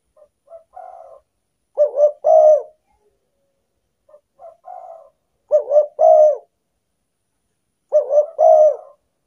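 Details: Spotted dove lure call used to attract wild doves: soft introductory notes followed by a loud, mellow two-part coo phrase, repeated about every three seconds in a quiet setting.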